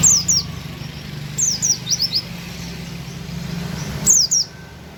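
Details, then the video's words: Buxtoni white-eye rendering canary 'wit wit' calls: sparse pairs and short groups of thin, high slurred chirps, spaced a second or more apart, over continuous low rumbling background noise. "pleci nembak wit wit kenari"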